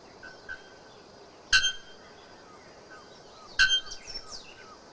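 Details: Bare-throated bellbird singing free in the wild: two loud, sharp, ringing metallic notes like a hammer striking an anvil, about two seconds apart, with quiet background and faint distant bird calls.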